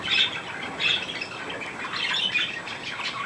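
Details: Chickens recorded on 15 January 2018, giving harsh, high squawks in short bursts about every second against a steady hiss, with faint chirping between them.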